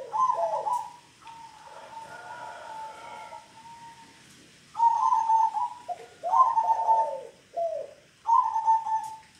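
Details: Local zebra dove singing in the 'Kong' style: repeated phrases of mellow, trilled coos, each starting with a short note and then a rippling, slightly falling trill, several phrases in sequence.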